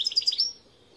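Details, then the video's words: Brief fragment of European goldfinch song, Gardelina, a few quick bright chirps running into a short thin whistle. "Chant Chardonneret"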